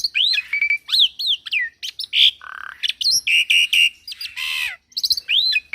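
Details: Young Javan pied starling in full song, a varied loud run of whistled upslurs, clear piping notes, harsh rasping bursts and buzzy chatter, delivered in quick phrases with brief pauses.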